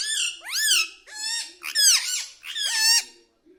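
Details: Pet parrot indoors, said to say words like mithu, mummy and papa: five harsh, arched, speech-like syllables, each rising then falling in pitch, spaced roughly every half second.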